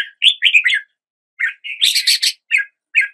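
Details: Red-whiskered bulbul phrases: slurred whistled notes in a quick cluster, a brief pause, then a louder harsh chattering burst and two short closing notes.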